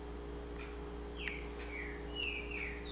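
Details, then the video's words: Double-collared seedeater singing in the sabiá song style: a few slurred whistled notes sliding downward, spaced irregularly, over a steady low electrical hum. "Sabiá Coleira"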